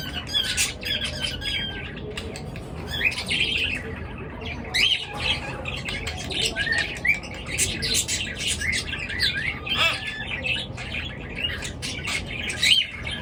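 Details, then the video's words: Morning chirping from many birds: scratchy chatter punctuated by short rising whistles and sharp squawks, steady throughout with louder bursts near the end, over low background noise. "পাখির কিচির মিচির ডাকে সকাল বেলার ঘুম ভাঙা"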